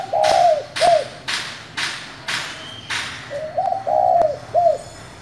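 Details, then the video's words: Spotted dove, 'giọng thổ' voice type, cooing to provoke freshly caught doves. Two deep repeated phrases about three seconds apart, each swelling into a long hoot and ending in a short coo. Rhythmic percussive thumps sound throughout. "Cu gáy giọng thổ gọi, thúc kích bổi nhanh nổi"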